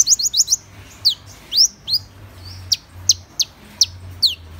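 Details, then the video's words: Van Hasselt's sunbird song: a fast run of four thin, high rising chirps, then about nine sharp, high notes sweeping downward, spaced roughly every third to half second, over a faint low hum. "Tiếng chim HÚT MẬT 7 MÀU"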